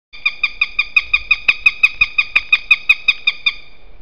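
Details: Eurasian sparrowhawk in Estonia gives a loud, steady series of sharp, nasal 'kek' notes, about five a second, with a couple of faint clicks in the background.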